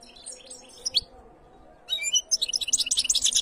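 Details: Canary giving a few high chirps, then after a short silence a fast, bright rolling trill of rapidly repeated notes, louder and denser toward the end.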